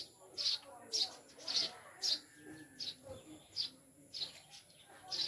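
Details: Maya birds (Eurasian tree sparrows) kept as new pets in a cage, said to be mountain birds, chirp about ten times in a little over five seconds. The chirps are high, clipped and irregularly spaced.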